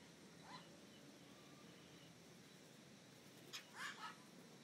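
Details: A magpie-jay, common around Nuevo Arenal, Costa Rica, gives a faint call, then a quick burst of three harsh, slightly liquid squawks near the end, over steady background hiss.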